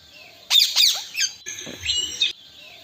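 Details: Three parrots sitting on branches calling: a burst of harsh, raspy squawks, three loud grating notes then a second run of rougher screeches, separated by a short pause, over a quiet background.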